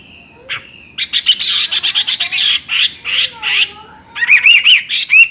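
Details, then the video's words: Chinese hwamei singing a varied filler-style song: a thin whistle, a fast buzzy rattle of close notes, a few mellow slurs, then ringing looped whistles repeated in quick succession. "Burung Hwamei Wambi NGOCEH Istimewa Gacor Suara Cristal Isian special"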